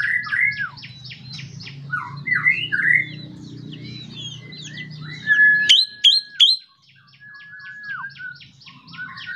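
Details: Ashy drongo singing in the morning, used to prompt other birds to sing: a dense run of varied whistled and slurred notes, chattering phrases, then three sharp high upswept notes around the sixth second, with a low hum underneath.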